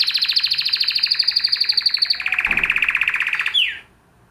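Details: Spanish Timbrado canary singing a long, fast metallic trill of evenly pulsed notes. It drops halfway to a lower, rolling trill, then ends with a quick descending sweep and silence.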